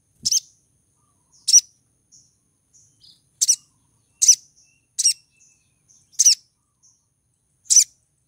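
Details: A female little spiderhunter in breeding condition calls to attract a male, giving seven crisp, high, sharp chips spaced about a second apart, with faint soft notes in the gaps.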